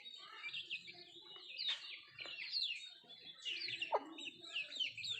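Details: Country chickens eating food, heard as scattered bursts of thin, high, slurred peeps separated by brief lulls, with soft low rustling and pecking noises in the background.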